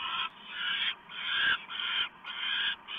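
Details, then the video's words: Owls at the nest while a small mouse is brought in on a November evening: a few long, harsh, breathy hisses, each lasting close to a second, separated by short pauses. "Hans Delivers Small Mouse!"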